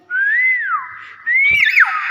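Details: Common hill myna producing two loud whistles, the first a rising-falling slur, the second climbing and then breaking into a quick warble, with a brief click between them.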